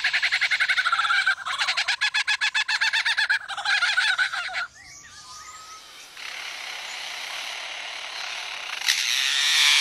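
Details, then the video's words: Lyrebird imitating construction work: a rapid, regular rattling pulse like a power tool, stopping and starting, then a short sweep and a long steady hiss like a saw or sander. "Lyrebird making construction noises"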